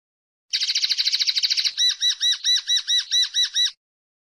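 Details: Linnet singing, 2016 recording: a rapid, rattling trill gives way to a measured run of eight bright, arch-shaped notes repeated at steady intervals, with no other sounds.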